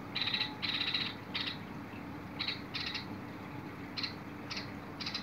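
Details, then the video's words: Bulbul singing, recorded on 21 August 2022: short bright chirping phrases in quick bursts, some drawn into a brief buzzy trill, separated by pauses, against a steady low hum. "تغريد البلبل"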